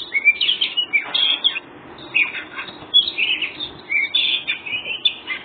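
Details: White-breasted oriental magpie-robin singing vigorously in the 'ngobra' style used to provoke other birds into answering: a rapid, varied run of warbled and scratchy phrases, the phrases separated by short pauses, with nothing else audible.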